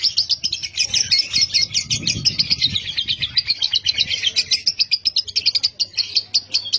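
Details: Lovebird, fighter type, recorded as a lure to get other lovebirds to sing a long ngekek chatter; continuous rapid, high, shrill chirping with dense overlapping notes throughout, over a faint low rumble.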